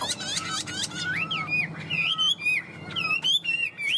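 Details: Indoors, a tame caged Chinese hwamei with yellow legs and bill sings clear high slurred whistles and upward sweeps in short bursts separated by brief pauses.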